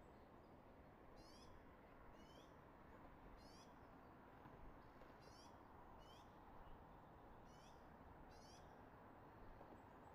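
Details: Eagle at a Redding nest, 24 March 2022, 06:34, captured by a nest camera, repeating high-pitched, staccato chirping phrases about every second or so, seven bursts in a row, with a heavy steady roaring background underneath.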